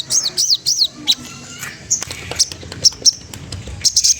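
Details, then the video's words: Magpie-robin song meant to provoke a rival: three quick arched high whistles open, followed by scattered sharp, thin high notes and brief clicks over a faint low hum. "Suara bunyi sogon trotol menggoda lawan"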